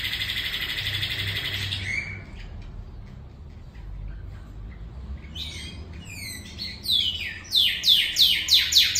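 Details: Northern cardinal imitating a canary's song: a dense buzzy trill held for two seconds, a pause, then loud sharply falling whistled slurs repeated in quick succession, growing louder toward the end.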